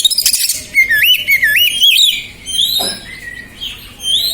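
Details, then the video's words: Oriental magpie-robin, stressed and agitated, singing to provoke other birds: a loud, wavering whistled phrase rises and falls in quick loops, then thinner high notes with background noise. "Pancingan Burung KACER STRESS 100% EMOSI"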